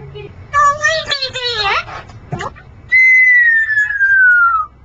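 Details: Male pet Congo African grey parrot, spending days on a perch in a scuba diving shop, gives a speech-like harmonic phrase with warbling tones, a brief pause, then one long clear whistle gliding slowly downward for nearly two seconds.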